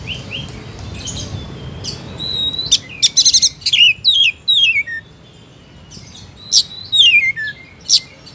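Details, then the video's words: An Oriental magpie-robin sings a lively run of clear, high whistles and sharp chips, several notes sliding downward, in two bursts over quiet background hiss. "Suara Burung Kacer Gacor"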